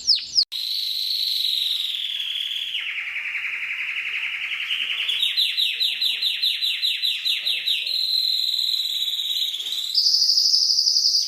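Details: Canary song for tutoring other songbirds: long continuous rolling tours, first a smooth buzzy trill, then a lower warbling roll rising into rapid pulsed notes, then bright high trills.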